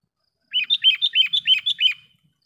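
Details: Sooty-headed bulbul calling to lure wild bulbuls: a quick, even series of about eight bubbly chirps lasting a second and a half, clean and without other sounds.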